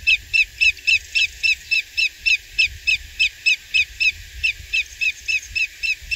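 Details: Greater yellowlegs at Coquille Valley Wildlife Area, Coos County, Oregon, 23 April 2021, gives a long, steady run of ringing, slightly down-slurred whistled notes, about three or four per second, over a faint low rumble.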